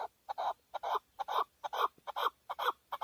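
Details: Male hunting chukar partridge (keklik) in Tajikistan, 2020: loud, rhythmic series of harsh clucking chuk notes, about two per second in uneven pairs, with no other sounds.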